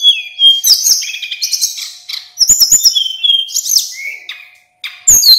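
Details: Male Little Pied Flycatcher of a local mountain strain in full song for tutoring: opening whistled note, then buzzy rolling phrases and bright slurs, a short gap near the end and a fresh sharp burst to close.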